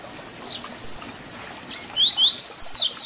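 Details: Double-collared seedeater singing the Tui Tui Zel Zel fibra-style song used for teaching young birds: high thin downslurred notes at first, then a loud run of rising buzzy whistles repeated rapidly near the end.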